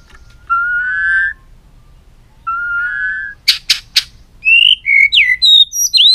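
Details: Caged white-rumped shama singing: two long steady whistled notes, then three sharp buzzy clicks, then a quick run of varied whistled slurs climbing and dropping in pitch.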